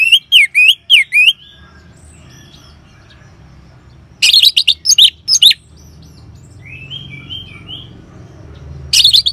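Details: Lure recording of orange-headed thrush ngeban song for stimulating caged birds: a quick series of looping, wavering notes, a pause, then a scratchy chattering burst, with soft warbling whistles in the gaps.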